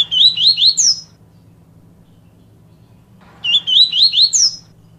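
Double-collared Seedeater sings a quick, bright phrase of four or five slurred whistles rising to a sharp end, repeated after about two seconds over a faint low hum.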